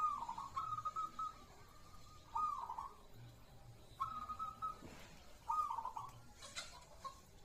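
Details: Perkutut, or zebra dove, in song: gentle trilled cooing phrases repeated at irregular gaps, with a brief rustle and faint background noise.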